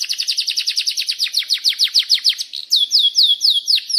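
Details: High canary song for prompting other canaries: a rapid chatter of down-slurred notes that gradually slows, then breaks into broader, looping whistled slurs.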